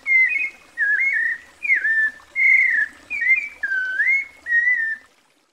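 White-necked Thrush singing seven clear, slurred whistled phrases, each under a second, mid-pitched and evenly spaced with short pauses between them.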